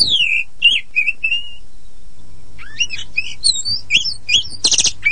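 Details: Oriental magpie-robin of the poci type, singing to lure untrained or silent birds into song; descending whistled slurs, a brief gap, then busy twisting whistles ending in a rough buzzy burst, low hum behind.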